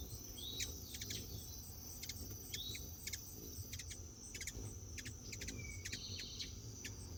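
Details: Hummingbirds chattering to each other while being hand fed: sharp, clicky chip notes in quick clusters, a few thin high squeaky slurred notes, over a steady high insect drone.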